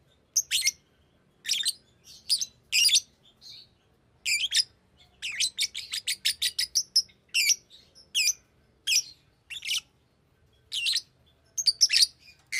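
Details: Fischer's lovebird, a pet, chattering with shrill high chirps, at times in rapid bursts of seven or eight quick notes, otherwise spaced about a second apart, in a quiet indoor setting.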